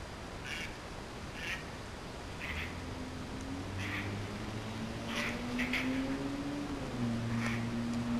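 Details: Male ducks chasing one another over a female in a backyard. Harsh quacks come roughly once a second over a low, steady droning hum that rises slightly in pitch.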